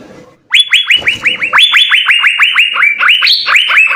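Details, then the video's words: Energetic singing from six Asian fairy-bluebirds: after a quiet start, a loud, steady stream of rising, curling notes, roughly four per second, with a higher note near the end. "Hargacor suara 6 CUCAK BIRU GACOR full isian"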